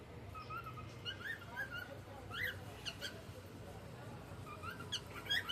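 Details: Cockatiel in the evening giving soft whistled notes and short rising chirps spread irregularly through the clip over a low background hum.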